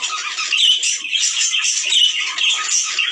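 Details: Budgerigars chattering to encourage males and females to breed: squawky, buzzing warbles and short chirps in quick, uneven bursts, several birds overlapping.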